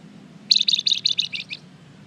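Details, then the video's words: Lure song of a lively flamboyan bird meant to provoke replies: a single rapid series of about eight bright, high chattering chirps over a quiet low hum. "Suara pancingan burung Flamboyan gacor terbaik , pasti nyaut"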